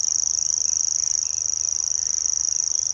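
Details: Grasshopper warbler at RSPB Middleton on 17 May 2021, delivering a sustained, high, cricket-like reel of rapid uniform pulses, with faint background birdsong.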